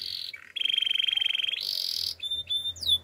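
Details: Russian canary singing: a high trilled note, then a long fast rattling roll repeated at a steady rate, a higher rolling phrase, and short clear whistled notes with quick descending slurs at the end.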